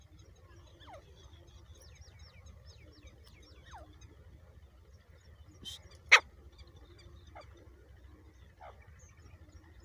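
Grey francolin chicks give thin, high, downslurred peeps, repeated irregularly about once a second. One sharp click and a low background rumble are also heard.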